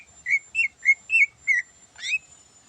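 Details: Cucak ijo, the greater green leafbird, singing in the morning, a song full of learned phrases. Five quick whistled notes, each rising and then dipping, are followed by a brighter buzzy note with upward sweeps.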